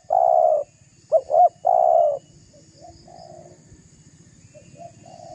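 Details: Spotted dove calling vigorously to provoke a rival into responding, used as a lure: one loud coo phrase of two short rising notes and a long rolling coo, followed by faint, more distant coos of another dove.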